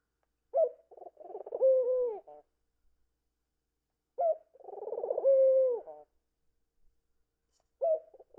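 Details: Pet Indian ringneck parakeet cooing and twitching its wings while wanting attention: low, nasal, warbling coos with a short sharp opening note, each lasting over a second, repeated roughly every three and a half seconds, with silence between.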